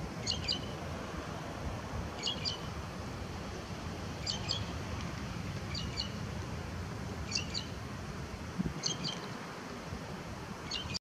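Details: Lesser grey shrike (Lanius minor) singing at Salinas del Carmen, Fuerteventura, in 2018: short, high, squeaky double notes about every 1.5 seconds over steady wind rumble.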